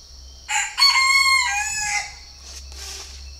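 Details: Chinese francolin, a purebred captive bird in Ba Vì, Hanoi, Vietnam, calling once: a short harsh note, then a longer, rasping, richly harmonic phrase with slight breaks, trailing into a faint noisy tail over a steady low hum.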